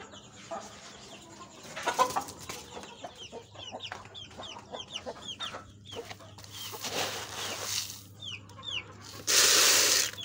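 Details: Native desi chickens, with a series of short, high, upward-sliding peeps repeated irregularly over steady background noise, broken by bursts of rustling and a loud hiss near the end.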